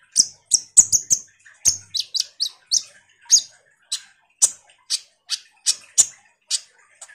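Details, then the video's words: Common iora used as a lure for sunbirds: quick clusters of high sharp chirps early, settling into a regular series of piercing notes about every half second. "suara PANCINGAN KONIN GACOR NGOBRA"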